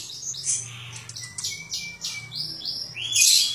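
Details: A greater green leafbird sings a rapid, unbroken medley of mimicked high chirps, slurred whistles and a sweet rising note, said to sound like a magpie-robin, with a faint low hum underneath.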